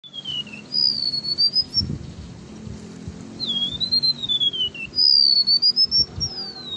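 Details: Golden-bellied gerygone singing actively: three long, sweet, wavering whistled phrases, one falling, one rising and one swooping down and up, with a low rumbling hum underneath.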